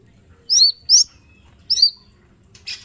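A green leafbird gives three sharp, high, upswept whistled chirps in quick bursts, then a brief soft rustle; otherwise quiet.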